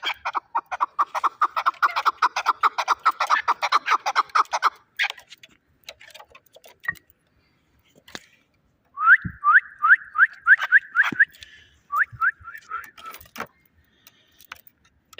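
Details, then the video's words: Chukar partridge kept for fighting in Shahritus, a fast clattering run of clucks for five seconds, silence, then a series of loud rising whistled chuck notes repeated several times per second. "Кабки Шаҳритус ҷангӣ"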